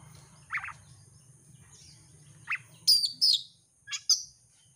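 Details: Champion Oriental magpie-robin singing as bait for competition birds: scattered short chirps, then a few high thin whistled slurs and sharp notes, with a low steady hum underneath.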